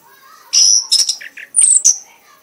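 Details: Red-whiskered bulbul, a prize-winning bird, singing in an excited 'mabok' state until worn out: loud high chirps and sharp whistled bursts in a few quick clusters, with short pauses between.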